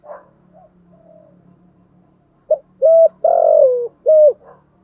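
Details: Spotted dove used as a decoy, cooing to challenge wild males: faint scattered soft notes first, then a full phrase of a short note, a clear coo, a long rolling falling coo, another coo, and a soft ending note, over a low hum.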